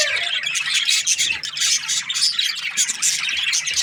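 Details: Budgerigars chattering nonstop, a dense wall of high, scratchy warbling and overlapping chirps from several birds, steady and loud throughout.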